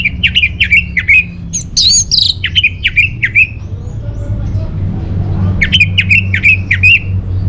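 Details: Orange-headed thrush song, used as a lure and master song for caged birds: bursts of quick, slurred whistled notes repeated in short runs, a higher squeaky phrase in the middle, then more rapid repeated notes over a low hum.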